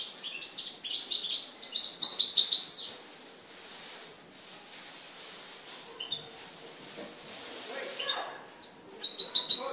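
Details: Morocco, 4 December 2013: a European goldfinch gives short bursts of fast, high twittering at the start and again near the end, separated by several seconds of near quiet with faint scattered notes.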